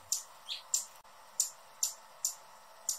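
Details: Hummingbird giving single sharp, very high chip notes at a steady pace, roughly two per second, with a softer lower squeak between the first two chips and a faint hiss behind.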